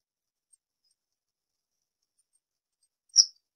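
A Citrine wagtail gives one short, sharp, high-pitched buzzy call after three seconds of near silence.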